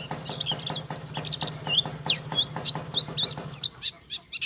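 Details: Contest-champion Oriental white-eye, called pleci, jetboy type, pouring out rapid high chirps and twisting whistled phrases, about three notes a second, with a faint low hum underneath.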